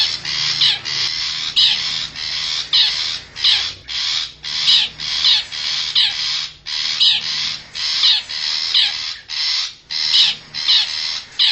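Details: Wild long-tailed shrike lure sound from forest: rapid series of rough, buzzy chattering notes, about two per second, loud and fairly even throughout.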